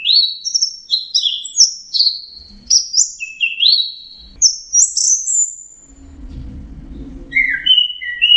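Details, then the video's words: Orange-headed thrush in full song, a fast series of varied whistled notes, slurred and rising, then a pause with low rumbling noise before more lower whistles resume. "Burung anis merah jenis burung kicau mahal dan suaranya merdu"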